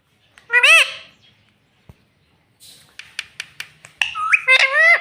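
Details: Pet parrot talking, said to say "Mitthu Mitthu" and "Mummy": a rising, harmonic, voice-like squawk near the start, a run of sharp clicks, then a longer wavering speech-like phrase at the end, in a quiet room.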